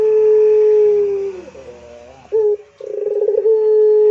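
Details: Long pelung-style coo from a Barbary dove: the held note fades and bends downward, a brief quieter wavering phrase follows, then a purring, pulsed coo that settles into another steady tone.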